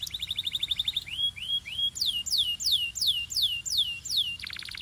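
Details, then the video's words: Belgian canary song: a fast chattering trill, a few rising slurs, then loud repeated descending whistles ending in a buzzy rattle. "This BELGIAN CANARY SINGS BEAUTIFULLY - Warms up quickly!"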